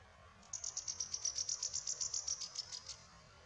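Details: A yellow warbler sings at Cranberry Lake on 16 May 2019: a quick run of bright, high notes at a steady pitch, lasting about two and a half seconds over a faint low background rumble.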